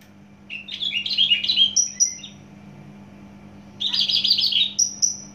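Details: Rapid tumbling twitters from a Javan bush lark of Java stock, climbing into high thin whistles, followed by a second dense chattering burst capped by more whistles; faint hum behind.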